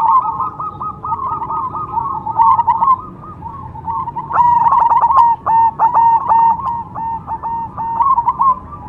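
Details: Perkutut cemani, a zebra dove, cooing in fast stuttering phrases. Soft rolling notes come first, then louder, sharper staccato coos repeated several times a second, with a faint low rumble underneath.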